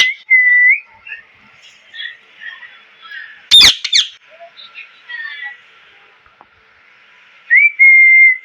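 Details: A parrot gives short level whistles and soft chattering. There is one loud harsh double squawk near the middle, and a clear whistled note at the end.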